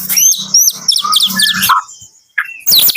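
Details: A Medan-type white-rumped shama sings in the morning, with fast high chatter and whistled slurs over a low pulsing hum, then a short pause and a final burst of sharp notes.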